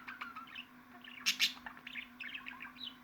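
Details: Budgerigar giving a lively stream of chirps and warbled notes with two loud harsh squeaks in the middle, over a steady background hum.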